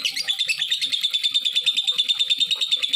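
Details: Lovebird chatter meant to provoke other lovebirds to join in: a short burst of bright, high, evenly pulsed notes, about three per second, holding a steady pitch, with soft low clicks underneath.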